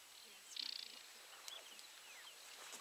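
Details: Aquatic warbler calling from halfway up the grass: a quick, high, dry rattle of about eight clicks in under half a second, then a few faint scattered notes; soft background hiss and a distant voice.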